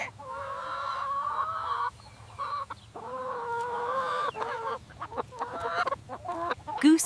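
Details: A chicken flock on a farm giving drawn-out, wavering clucks in harmonic bursts, with short pauses between phrases and a sharp higher squawk right at the end.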